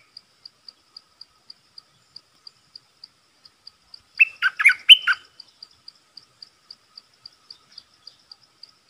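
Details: Red-whiskered bulbul used as a decoy to lure a territorial wild bird, giving one brief burst of bubbly, chirping notes rising and falling in the middle. Steady faint ticking repeats throughout.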